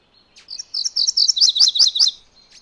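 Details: High, rhythmic song of a MacGillivray's warbler: a string of crisp repeated notes lasting under two seconds. The second half has doubled lower syllables, and a faint chip is heard near the end.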